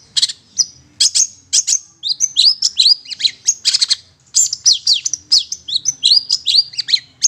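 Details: Long-tailed shrike (cendet) giving harsh, scratchy bursts mixed with quick, varied chattering and squeaky high notes, tumbling along almost without pause; a lure recording used to attract wild shrikes.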